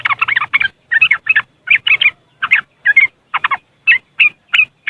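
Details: Yellow-vented bulbul from West Java, Indonesia, in riwikan style, played as a lure for caged birds that are raw or reluctant to sing: steady, lively chattering notes in groups of two or three, almost continuous throughout.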